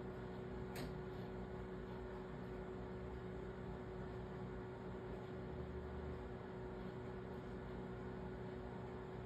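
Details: Quiet, steady low hum and faint background noise with one brief click near the start; no animal sounds.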